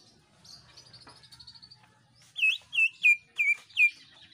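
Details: Greater green leafbird in lively full song, played to get other birds singing: a soft, fast, high trill, a pause, then five loud, clear whistled notes that drop in pitch, about three a second.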